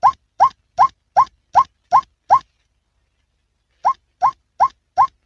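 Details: Hunting call of a male white-breasted waterhen, seven steady croaking notes in quick succession, a gap of about one and a half seconds, then four more notes at the same pace.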